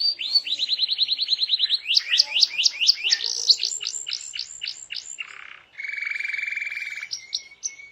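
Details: Loud gacor canary singing to make other canaries answer and sing along: fast repeated chips, then steeper downslurred notes, a short harsh burst, and a steady trill with brief high notes at the end.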